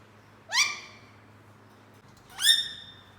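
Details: A pet rose-ringed (green ringneck) parakeet in a cage, which is beginning to talk, gives two harsh, rising, rasping squawks about two seconds apart over a faint low electrical hum.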